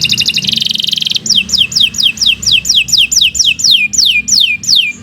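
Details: Canary singing, recorded as a master for teaching other birds: a fast high buzzy trill, then a long string of clear descending whistled slides repeated about twice a second, over a low background hum.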